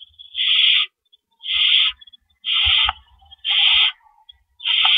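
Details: Owls at a nest before dawn on April 4, 2012, amid rabbit deliveries. Five grating hiss bursts, each close to half a second, come about once a second, with soft thuds and rustles in the gaps.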